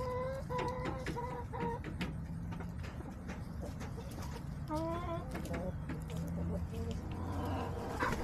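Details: Backyard hens on a homestead, clucking with short, stacked, nasal notes in quick bursts near the start and middle, over a steady low rumble of background noise.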